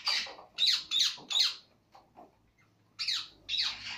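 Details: Cockatiel (caturra) calling in harsh, high, downslurred screeches, four in quick succession about every third of a second, a short quiet gap with faint notes, then two more screeches.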